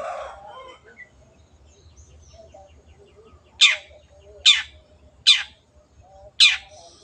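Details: A Long-tailed shrike gives four short, sharp, high clicks spaced under a second apart after a quiet start, over a faint low background hum.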